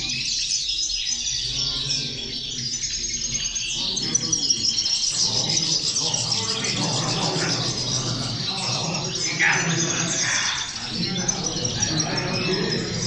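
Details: A group of female European goldfinches calling together as a chorus meant to motivate other goldfinches: dense, continuous high twittering and tinkling chatter from many birds overlapping throughout, over a steady low rumbling background noise.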